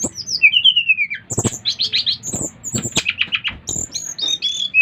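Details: Bali brown-chested jungle flycatcher singing hard to prompt other flycatchers to join in. It opens with a long falling whistle, then gives a fast series of bright chirps and clipped notes, with some clicks and knocks.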